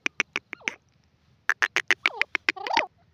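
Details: Grey francolin of the Sindhi or Dakhni type giving a clear, loud call: two bursts of sharp, bright notes in quick succession. Some notes trail off in short falling slurs, and a brief pause separates the bursts.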